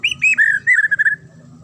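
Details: Short, piercing phrase from a fighter white-rumped shama: a high whistle dropping into a sustained note, then a quick string of evenly repeated clear whistles that stops abruptly.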